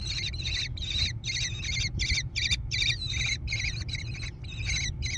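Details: Young American kestrels growing in a nest box on private land near Prairie du Chien, Wisconsin, USA, 14 June 2022, recorded by nest camera: continuous harsh, buzzy screeching, about fourteen calls in quick succession, over a steady low hum.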